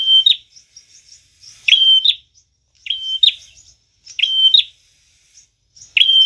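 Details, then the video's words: Prinia song used as a lure for trapping: loud piercing whistled notes that flick sharply upward, given about once every second and a half, with soft high twittering chips in between. "Prenjak tamu gacor cocok banget buat pikat dan pancingan"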